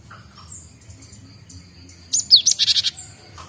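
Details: Young Java sparrow learning to sing, just starting to chatter: a brief burst of high, bright chirps and a quick downslurred whistle, surrounded by quiet, scattered faint notes.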